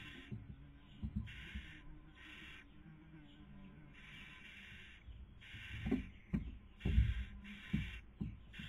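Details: Barn owl nest in Cabañeros National Park, central Spain, 2020 breeding season, with the female feeding and the male attempting to sleep. Rhythmic hoarse hisses repeat at irregular intervals, mixed with loud low thumps and scraping movement sounds inside the nest.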